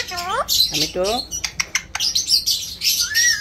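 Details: Pet Alexandrine parakeet mimicking speech: two quick falling, voice-like syllables, then clicks and short scratchy notes, closing on a rising whistled tone.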